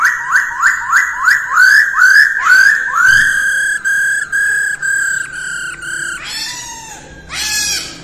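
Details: Masked laughingthrush practising its song at dawn: a run of quick upslurred whistles repeated several times per second, then longer steady harmonic notes and a pair of rough, scratchy bursts at the end.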